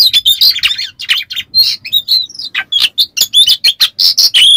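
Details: Oriental magpie-robin singing rough, intense material meant to stir silent birds into song: quick bursts of grating notes, clicks and short bright whistles in a dense, continuous run.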